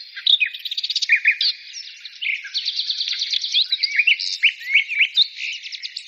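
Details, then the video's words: Lively bird song: a fast rattling series of high notes, then varied warbled phrases and chirps continuing steadily. "birds singing"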